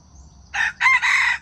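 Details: Wild chicken crowing for trapping other wild chickens: a brief, loud, rasping crow in three quick syllables, the last drawn out, with a thin insect whine behind.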